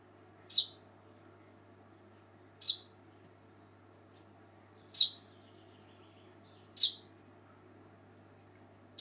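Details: A young common chaffinch searching for its parents gives short, sharp, high calls, five in about nine seconds at an uneven two-second pace, over a faint steady low hum.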